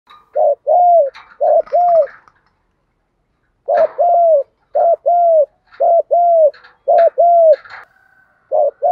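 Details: Spotted dove challenge coos, male and female, used to lure and stimulate wild doves: mellow paired hooting notes in short bursts, a pause near the middle, then steady two-note coos again with faint chirps behind.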